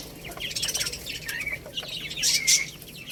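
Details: Young chicks pecking at rice utter soft high cheeps, ending in two louder, sharper piping notes over background tapping and shuffling.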